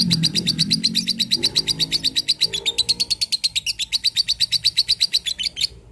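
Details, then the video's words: Lovebird song for training other birds: fast, high repeated chirps, about six per second, running through the whole stretch. A low, droning background sound covers the first half, then fades. "Pemasteran love bird"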